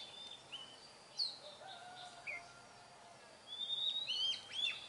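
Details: Wild Oriental magpie-robin singing outdoors: scattered clear whistled notes, some rising and some falling, with a brighter cluster of sweeping whistles near the end, over steady faint background hiss.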